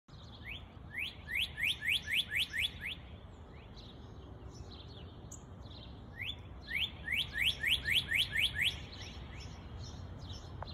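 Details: A northern cardinal sings two bursts of about eight clear upslurred whistles, quickening slightly, over a steady low rumble of distant background noise.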